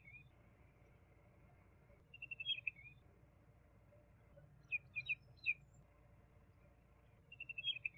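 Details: A juvenile common babbler sings softly: a fast trill of short high notes, then a cluster of four sharp falling chirps, then another quick trill, all over a faint low background hum.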